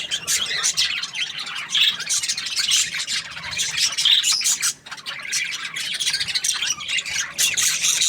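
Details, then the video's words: Cheerful budgie chatter, a dense, continuous stream of high, scratchy chirps and squeaks with hardly a pause, rising and falling slightly in loudness throughout. "Happy Budgie chirping sounds"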